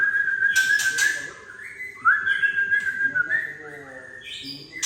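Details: White-rumped shama of Tangse stock, harsh 'trek kasar' used to excite juvenile birds: rasping chacks over a steady trill, then a rising slur into a long buzzy warbling trill, with light background clutter.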